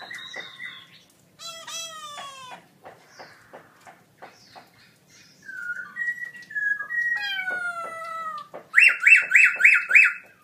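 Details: ['Caged black-throated laughingthrush, a birdsong contest gold award winner in October 2016, delivering a varied loud song: descending harmonic slides, scattered clicks, mid-pitched whistles, and a closing series of five rapid buzzy notes.']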